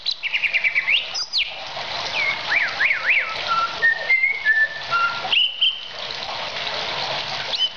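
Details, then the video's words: Greater green leafbird, a contest-prospect bird recorded as a training track for songbirds, giving a varied song of clear whistled notes: sliding trills, zigzag up-and-down whistles and short flat tones, with a soft hiss behind. "masteran suara burung cucak ijo calon juara"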